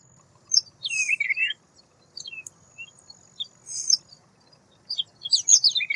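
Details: White wagtail: sharp high chirps and short twittering notes in small bursts separated by pauses, with a faint steady low hum underneath.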